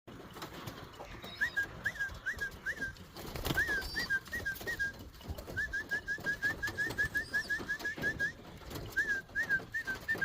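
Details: Young racing pigeons calling: series of short high squeaky rising-falling notes in bursts of four to five, then a longer run of rapid even peeps, over steady background hiss and low rumble.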